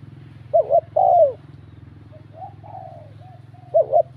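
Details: Spotted dove in bell-voice style cooing to provoke rival males, mellow wavering double note and drawn-out falling coo, softer trailing coos, then another phrase beginning, over a steady low mechanical hum.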